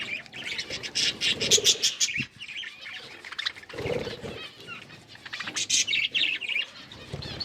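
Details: Pet budgies eating green food, giving a dense, busy stream of overlapping high chirps and scratchy warbling twitters, rising and falling in loudness, mixed with low fluttering or crunching sounds from the feeding birds.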